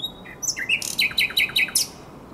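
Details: At the Żerań Canal on 23–24 April 2022, a common nightingale gives a short phrase: a few thin notes, then five loud, ringing, downslurred strokes about a quarter second apart.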